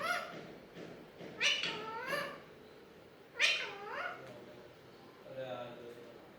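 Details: Alexandrine parakeet talking indoors: pairs of rising-and-falling, harmonic two-syllable words in a quiet room, each pair separated by a short pause, the last phrase softer and lower.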